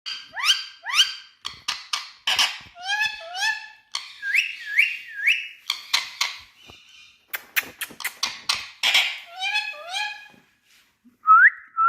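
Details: Green Indian ringneck parakeet talking: rapid strings of harmonic, speech-like syllables with rising and falling inflections, some sharp clicks, brief pauses, and a final clear upslurred whistle, indoors.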